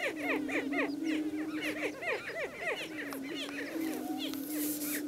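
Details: Greater prairie-chickens, including a displaying male, on a lek: a steady, low hollow moan runs beneath rapid overlapping whooping, cackling calls, several each second.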